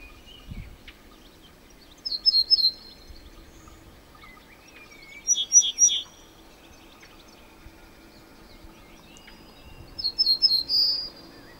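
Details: Cretzschmar's bunting singing: short phrases of three or four clear, slightly buzzy notes, repeated every few seconds with pauses between, the final note often longer and drawn out; faint chirps and quiet background noise.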